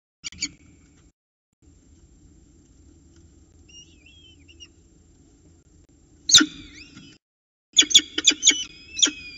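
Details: At the Orange nest box on the morning of 29 October 2018, peregrine falcon chicks call while an adult drops off prey for the first breakfast. Short thin whistles give way to abrupt, loud, harsh bursts repeated rapidly late on, with clicks and knocks.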